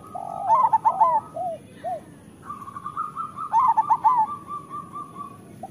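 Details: Zebra dove of local stock cooing as a lure for lazy or moulting birds: two trilled four-note coo phrases about three seconds apart, with softer low coos and a long flat whistled tone between them.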